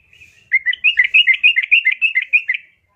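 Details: Calling yellow-vented bulbul female, meant to draw a male's reply: a clean half-second lead-in, then a fast even string of about fourteen bright chirruping notes over two seconds, no other sounds.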